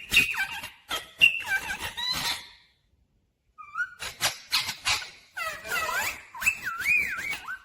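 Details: A talking ringneck, a Rose-ringed parakeet said to say 'mummy papa', makes bursts of curved, warbling syllables and scratchy notes, goes quiet for about a second, then resumes with looping word-like sounds.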